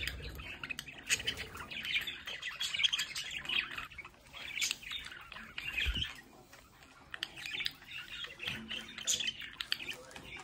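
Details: A group of household budgerigars by a window chatters steadily, mixing squeaky chirps, buzzy warbles and harsh squawks, with a couple of sharp low knocks.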